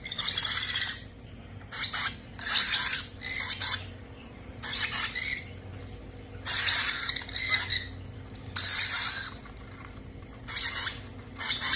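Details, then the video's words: Parrot chicks at feeding time produce a long run of rasping, noisy bursts, about seven loud ones, some broken into quick pulses, with brief quiet gaps between and a faint low hum underneath. "feeding babies parrot"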